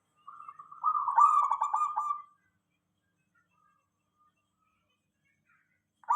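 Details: Local zebra dove singing as a lure for other doves: one rolling, stuttered coo phrase of about two seconds building in strength, then silence, with another phrase just starting at the end.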